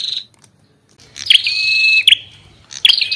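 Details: Ashy tailorbird song together with the female's calls: one long buzzy phrase over a held whistled note, punctuated by sharp chips, with the next phrase just starting.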